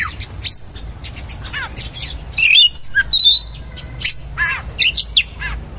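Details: Oriental magpie-robin (kacer) song, described as coarse material with rich 'isian' fill: fast jumbled whistles, rising and falling slurs and raspy notes, with a few longer pure whistles in the middle.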